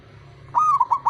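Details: Male zebra dove call, used to coax silent birds into singing: a single clear sustained coo that breaks into short fluttering notes, over low hum.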